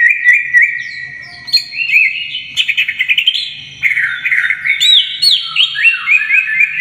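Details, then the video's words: Greater green leafbird pouring out a rich whistled song for tutoring young birds, mixing bright slurred phrases, a burst of quick stuttering notes, and tumbling warbles that rise and fall. "Cucak Ijo Gacor Bongkar Isian Full"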